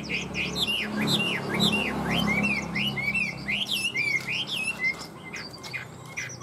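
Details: A tame Chinese hwamei in fine voice gives a fast, rich string of loud whistles, swooping and down-slurred phrases tumbling one after another, with a low background hum.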